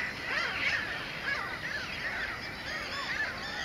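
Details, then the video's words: Mediterranean gulls in a breeding colony at Sol de Loire, Montjean-sur-Loire, Maine-et-Loire, on 12 May 2013, shared with black-headed gulls and common terns: many overlapping nasal, arched calls, rising then falling, crowding the colony din. "Mouettes mélanocéphales (Larus melanocephalus, Mediterranean Gull)"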